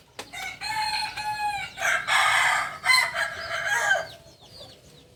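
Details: Native Kokok Balenggek cock of Solok, West Sumatra, whose crow rises and falls in stages. A bright harmonic crow runs through several joined sections over about four seconds, with a faint second bird crowing quietly near the end.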